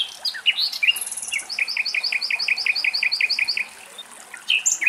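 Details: Common Nightingale in Greek nature at morning delivering a loud rapid series of about twelve identical sharp two-part notes, repeated several times a second, framed by whistled chirps and a high thin note.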